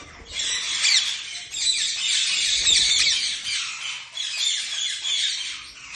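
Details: Steady lovebird chatter: dense, hoarse, high squawks running on nearly unbroken, with faint low rumble beneath.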